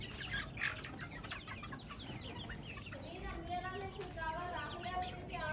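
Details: Free-range organic chicks out in an open field chirp with brief high peeps in a busy flock chorus, joined later by some lower drawn-out tonal notes.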